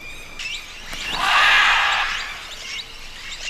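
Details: At a Peruvian riverbank clay lick where macaws and other parrots gather to eat salty clay, a harsh, raucous macaw squawk swells for about a second, surrounded by thinner chirps and calls from other birds.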